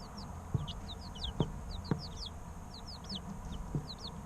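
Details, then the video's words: Baby chickens three weeks old peeping: clear, high, downslurred chirps, fewer and more spaced than in a full chorus, alongside several soft knocking sounds and a low hum. "Chicks Chirping Sounds 2 - Baby Chicken Sounds Over 20 Minutes"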